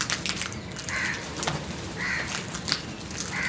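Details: Scared crows calling loudly, three rasping caws at roughly one-second intervals over constant background noise and faint ticking sounds.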